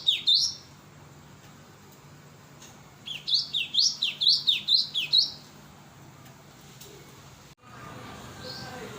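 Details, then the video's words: Indonesian lure recording of a cinereous tit: a single sharp note, then after a pause a series of about eight bright, dipping high notes in quick succession, followed by faint background noise. "Pancingan Suara pikat Burung gelatik batu"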